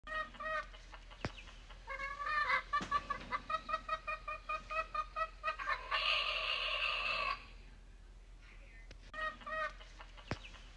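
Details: Rooster in the morning: a long run of quick, evenly spaced harmonic clucks, then one sustained, strained crow lasting over a second, followed by a few more clucks.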